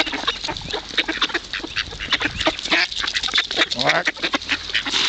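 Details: Hungry ducks at feeding time on the Kirchsee in Preetz, Germany: irregular bursts of coarse quacking, roughly one call a second, layered over constant background chatter of the flock.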